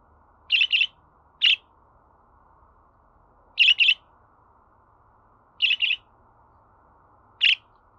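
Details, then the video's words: Budgerigar calling in brief, crisp chirps, alternating double and single notes, repeated roughly every one to two seconds against a quiet humming background. "Muhabbet Kuşu Sesi"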